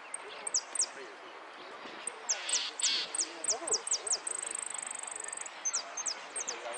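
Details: Goldfinch in a Lanús 'amarillo de repique' contest: scattered high slurred notes build into a steady sequence, a sustained fast trill around the middle, then more descending notes, with voices murmuring beneath.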